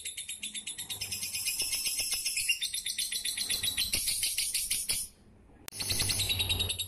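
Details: Lovebird kept as a fighter bird in Pemalang, Central Java, singing a long rapid chatter of high buzzy trills, notes repeated about three times a second, with a brief pause before it resumes; a low hum underneath.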